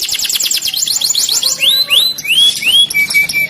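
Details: Canary song: a fast series of downward-sweeping whistled notes, then rising slurred whistles and a short flat tone, all high and clear.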